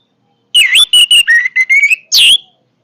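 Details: Strong Orange-headed thrush song with a dipping whistle, short clipped notes, a gently rising drawn-out whistle, then a final loud, sharp descending note.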